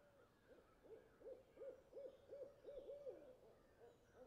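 A tawny owl gives a quick, soft series of short, low hooting notes, about three each second, rising and falling slightly over a faint background hiss.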